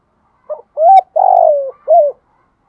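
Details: Single phrase from a decoy spotted dove singing in the 'thổ' voice style to lure wild doves. A brief low note leads into a rising hoot, then a long coo that falls, and a closing hoot.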